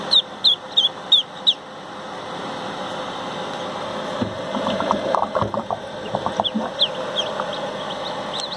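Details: Pekin duckling hatching, emerging from the egg and jumping out of its shell: high, thin peeps repeated quickly through the first second and a half, then lower, clucking calls over a steady background hum.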